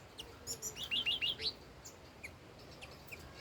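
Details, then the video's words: Old wild red-whiskered bulbul giving a soft, quick phrase of four or five bubbling whistled notes, followed by a few faint isolated chips. "Chim chi chi mào mồi già rừng hót tuyệt đỉnh"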